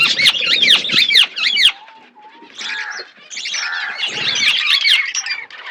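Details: Budgerigar flock eating food: a run of sharp, repeated looping squawks, a brief pause with a low whistle, then renewed warbling chatter from several birds.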